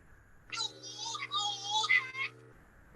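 A male Scopoli's shearwater gives a high, wailing four-part call of two exhaled and two inhaled syllables, over about two seconds, with a faint steady electrical hum beneath.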